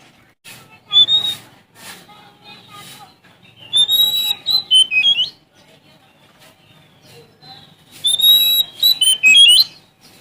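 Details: Sumatran Oriental magpie-robin in full song, seeking a rival: three bursts of loud, clear whistled phrases around mid-high pitch with sliding notes, separated by quieter pauses with faint low background noise.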